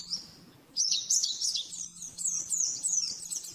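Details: Rapid 'nembak-nembak' master song of an oriental white-eye for training caged birds: a thin high note, then a burst of fast, high twittering runs, over a low steady hum.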